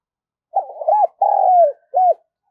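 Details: A captive decoy Spotted Dove gives three low, mellow coos over about two seconds, the middle one longest and gently falling; no other sounds.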